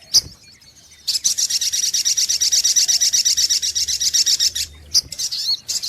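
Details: Sunbird, known locally as sogok ontong, on a lure recording: one sharp chip, then a long fast run of high, metallic repeated notes, about three per second, ending in a few scattered chirps.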